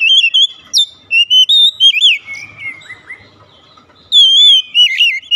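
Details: Oriental magpie-robin singing to coax a silent bird into song: fast clear whistled notes, a slurred descending warble, brief quiet, then a long loud whistle and wavering phrases.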